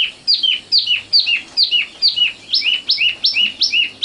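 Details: Sikatan londo, the common nightingale, in song: a rhythmic series of loud two-part notes, each a high note dropping to a lower one, repeated about twice per second throughout.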